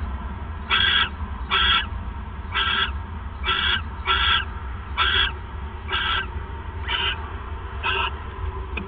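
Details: At night on 28 December 2014, while the male owl delivers his third mouse, an owl gives nine short, hoarse, screechy bursts in fairly even succession over a constant low background rumble.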